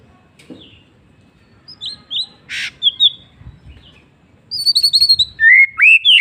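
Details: White-rumped shama in afternoon song: scattered short whistled notes and a harsh buzzy burst, then a loud, fast series of ringing whistles and downslurred sweeps building toward the end in a quiet setting.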